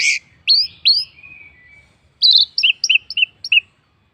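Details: Orange-headed thrush song meant to set other birds singing: a few clear upslurred whistles, a faint drawn-out note, then a quick run of short paired chirps.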